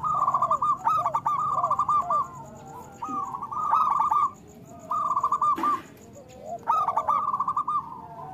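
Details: Zebra dove of a local strain, recorded to coax lazy birds into song: four loud phrases of rippling, stuttering coos about two seconds apart, plus a brief thump in between.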